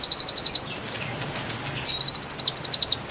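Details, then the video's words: Konin song used as a lure for wild konin birds, described as lively and melodious: very high, rapid trill of evenly repeated sharp notes, a brief pause with a few slurred whistles, then another fast, bright trill. "MASTERAN GACOR PIKAT KONIN KONIN LIAR | KICAU MERDU ASLI SUARA BURUNG"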